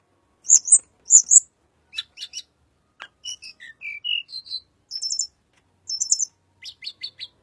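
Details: Song of a little pied flycatcher, used as a lure for white-rumped shama: sharp high chips, short buzzy trills and a descending series of brief whistled notes, ending in quick repeated dry ticks.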